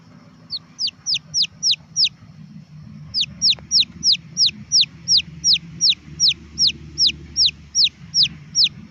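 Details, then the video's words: Red junglefowl chick peeping persistently: a short run of falling whistles, a brief pause, then about fifteen more evenly spaced high downslurred peeps, nearly three per second, over faint low rumble. "Tiếng gà rừng con"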